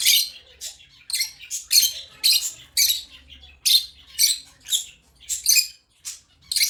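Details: African lovebirds chirping: harsh, scratchy bursts in a high register, about two per second at an uneven pace, each short and buzzy with no other sounds beyond a faint low hum.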